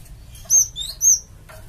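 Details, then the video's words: Java sparrow call used to lure a flock into replying: two loud, clear, high whistled notes about half a second apart, each with a bright ringing tone. "BURUNG GELATIK OMBYOKAN PUN LANGSUNG NYAUT DENGAR INI PANCINGAN BURUNG GELATIK BAHAN"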